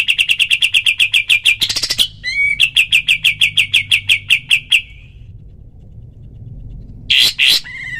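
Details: Training recording of a black-winged flycatcher-shrike giving rapid 'tembakan' bursts. Fast, evenly spaced sharp notes run in two strings broken by a harsher flourish, then go silent before a short loud burst near the end.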